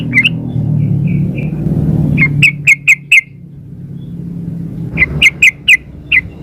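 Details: Female sooty-headed bulbul calling the male, played as a lure. A few soft whistled notes lead into two rapid series of sharp, clipped chirps with a steady low hum behind.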